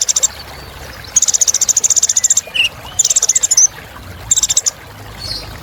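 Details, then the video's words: Kolibri Ninja sunbird delivering long, very high buzzy rattling trills, each lasting about a second, separated by brief pauses, with a single short whistle between trills. "Suara Kolibri Ninja Isian Mewah Bikin Burung Semangat"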